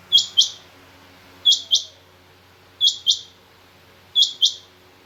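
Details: Calling female Rain Quail: crisp, high paired notes, the two notes close together, with pairs coming steadily about every 1.3 seconds against a near-silent background.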